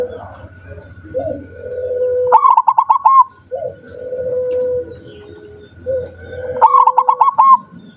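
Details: Zebra dove that seldom sings, recorded 7 November 2023. It gives a soft low coo followed by a quick run of bubbling, repeated notes. A steady high electronic beeping and a low hum run underneath.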